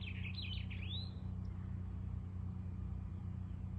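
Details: A male House finch sings to establish territory near the pair's nest with eggs on a house column: a quick, bright warbled phrase of jumbled rising and falling notes, about a second, over steady low engine-like rumble.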